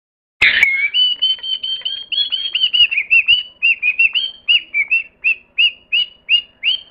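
A parrot whistles clearly: a long, slightly wavering high note, then a run of short, upslurred whistles at about three per second. A couple of sharp clicks come first.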